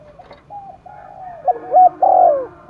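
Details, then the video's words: Cooing spotted dove from Đồng Nai, Vietnam, roused for a cooing contest. Faint, stretched low notes build into a loud mellow phrase of quick hoots and a long falling coo. "cu gáy thúc đấu vang cả núi rừng đồng nai, cu gay kich boi nhanh noi gù"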